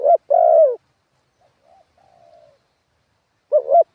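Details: Spotted dove kept as a decoy for ground trapping gives a wild-style song: a short coo, then a longer wavering coo, then a faint falling trailing note and silence. Another pair of clipped coos follows. No other sounds are present.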